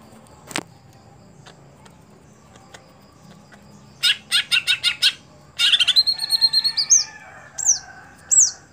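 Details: After a single sharp click and a quiet pause, a caged cucak hijau (greater green leafbird), a contest bird that has stopped performing, bursts into rapid harsh chatter, a ringing trill and two high downslurred whistles.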